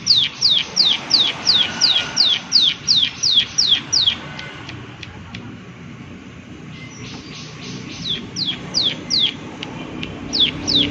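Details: Prinia of the "klik klik" kind giving rapid, evenly spaced descending click notes. The series pauses for a few seconds with only faint ticks and low background hum, then the clicking resumes at the same pace.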